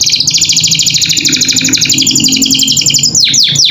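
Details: Captive canary singing energetic training song meant for other pet birds to learn: a fast, buzzy, high-pitched pulsed trill held for about three seconds, closing with three sharp downward-swooping whistles.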